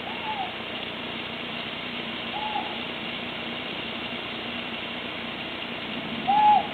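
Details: A Tawny Owl at night, around 22:41 on 13–14 April, gives three short, mellow hooting notes spaced a few seconds apart, the last the loudest, over a steady rushing background hiss.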